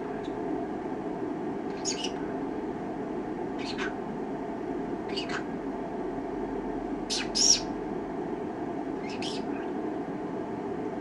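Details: A 2-year-old female Pineapple green-cheeked conure, alone in the room and perhaps taking the camera for a bird, gives five short, raspy, chattering bursts about every two seconds, with one louder squawk near the end, over a steady low room hum.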